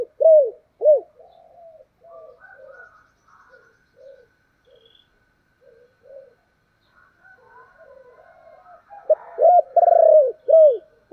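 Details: Spotted dove, thổ voice, urging and calling coos. Two bold arched coos open, followed by a long stretch of soft, scattered murmuring notes, then a strong phrase of a drawn coo and bowed, falling notes.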